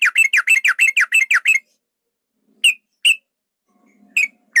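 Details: Yellow-vented bulbul male in a lure meant to provoke fighting: a quick burst of about ten sharp, ringing notes, then silence broken by a few isolated single chirps.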